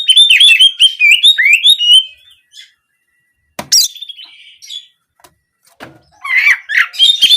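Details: Oriental magpie-robin song in the canary-like 'nembak' style, used as therapy to prompt singing: quick bright whistled warbles in the first two seconds, a sharp note, then a fresh burst of twittering near the end.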